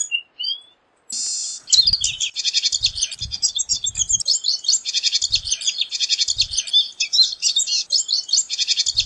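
A pine siskin sings a long, rapid run of high, buzzy twitters and trills, with brief low thumps underneath.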